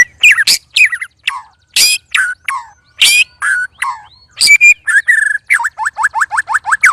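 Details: White-rumped shama in a cage, sparring with two others and uttering strange, loud sounds: harsh, scratchy bursts and slurred notes, then a rapid, even string of short, rising-falling whistles toward the end.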